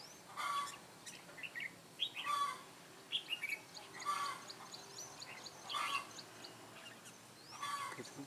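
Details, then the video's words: Mũ lân Ché red-whiskered bulbul used as a trapping decoy, 9 June 2017. Short whistled phrases recur roughly every one and a half to two seconds, each paired with a noisy rustle. "Bẫy chào mào Mũ lân Ché nẹt mồi"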